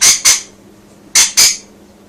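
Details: Rainbow lorikeet kept as a pet, content and vocal toward outdoor birds: paired piercing screeches, two quick ones, a short silence, then another pair, in a small room with low hum.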